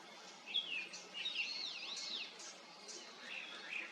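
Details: Japanese grosbeak giving clear whistled, slurred notes: a short high note, then a run of arching rising-and-falling whistles, with further softer whistles near the end over faint background hiss.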